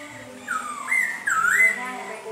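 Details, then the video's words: In the rain, a Black-throated Laughingthrush sings loud, fluty whistles: a long downward slur, then swooping up-and-down loops over about two seconds, with a soft hiss of rain behind. "Khướu mun hót trời mưa"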